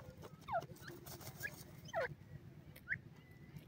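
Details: Teetar (francolin) chicks while being fed give faint, thin, high peeps that slide downward. A few come in separate bursts over several seconds above a steady low hum.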